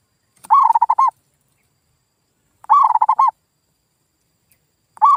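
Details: Zebra dove lure sound for coaxing silent local birds to answer: three quick bubbling coo phrases spaced roughly two and a half seconds apart, each several short notes, background quiet.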